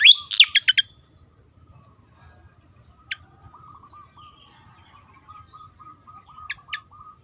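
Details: Javan fantail from Java giving a brief burst of fast tumbling notes, then isolated sharp chips after long pauses, with a soft continuous low trilling in the background.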